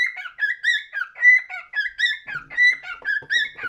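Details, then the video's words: A cockatiel whistles a steady series of bright, slurred notes, roughly one every second or so, each a rising or falling whistle with a faint low thump partway through. "Best Cockatiel singing"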